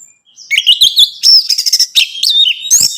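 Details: Orange-headed thrush song meant to stimulate a captive bird: loud, varied whistled phrases with wavering notes, fast chattering bursts and rising squeaky ends.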